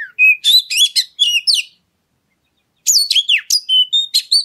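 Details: Energetic oriental magpie-robin song intended to set other birds singing: rapid bright whistles and buzzy notes in a first burst, then after a gap a second run of clear rising and falling phrases.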